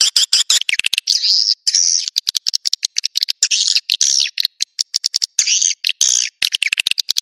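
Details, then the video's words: Swiftlet sound in the Naga Merah style, meant to bring swiftlets to nests: shrill twittering phrases with downslurred chirps, broken by rapid dry clicks between bursts. "Suara Burung Wallet Naga Merah"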